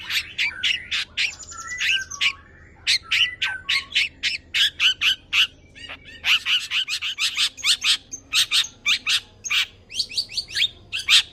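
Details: Long-tailed shrike singing a varied, mimicry-filled song meant to prompt other birds to sing: fast bursts of harsh notes mixed with brief whistles and a short trill, with little pause between phrases.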